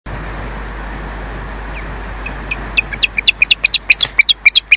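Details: Osprey Odin at RSPB Loch Garten, Scotland, lands defensively and then leaves, breaking into a quick run of about fifteen high, sharp whistled chirps, a few per second, after a stretch of steady wind-like hiss.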